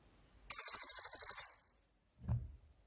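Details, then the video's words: Cililin with its rapid-fire 'tembakan' song, suited as a training master for songbirds: one loud, very high trill of about fourteen quick repeated notes that fades out, then a soft low thump. "BURUNG CILILIN COCOK UNTUK MASTERAN"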